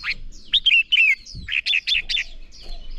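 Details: Red-whiskered bulbul fighting song from a training recording: rich, rolling whistled notes in quick pairs and triplets, loud and continuous for three seconds with brief gaps.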